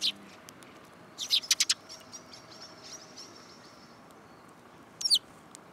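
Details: Sparrows perched on a person's hand, Tenmangu shrine, 8 July 2022: one chirp, a quick run of five sharp chirps after a pause, then a brief twittering burst near the end amid quiet.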